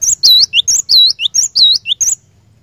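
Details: Java sparrow song used to lure a caged bird into singing: a rapid run of about ten high, clear chirps with upswept whistled notes, evenly spaced and delivered in one two-second burst.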